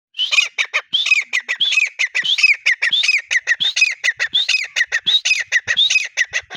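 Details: Grey partridge (teetar) calling in the breeding season: a fast, continuous series of harsh, squawking notes, each starting with a short rising whistle and then dropping to a rasping note, repeated several times a second without pause.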